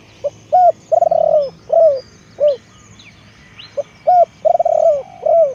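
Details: Decoy spotted dove repeating cooing phrases, each a clipped opener, rapid purring trill and long soft coo, then descending single coos, the whole pattern given twice; faint twitters and a low hum behind.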